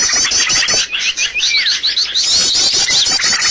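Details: Birds used as a trapping lure: rapid high twittering with rising and falling whistled slurs woven through continuous chirping, densely layered throughout.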